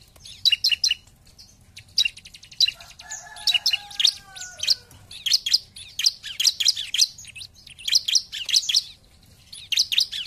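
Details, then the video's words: 'Gacor' bar-winged prinia song: quick series of sharp, high stuttered notes in repeated bursts; a few lower, steady whistled tones briefly sound near the start. "Pancingan Ciblek Paling Dicari ! Lawan Langsung Gacor"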